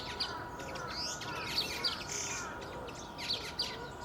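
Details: Black bulbul (Hypsipetes leucocephalus) song: a rapid string of short, sharp, squeaky chirps and slurred notes, several per second, over a faint steady hum.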